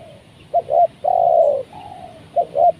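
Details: Spotted dove cooing while a trained decoy lures wild doves down, the first time one was caught. A fading coo, then two short coos and a long hollow one, another soft coo, and two more short coos.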